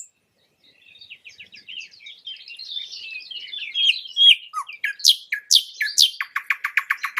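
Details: Nightingale bird song, naturally recorded: quiet rapid chattering notes build into loud sweeping whistles and end in a fast run of evenly repeated clicks.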